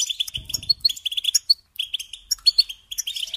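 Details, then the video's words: Goldfinch song in quick bursts of tinkling, chirping notes, with occasional sharp higher whistles, broken by brief gaps; a short low rustle near the start. "Supporting and Singing Along with Goldfinches"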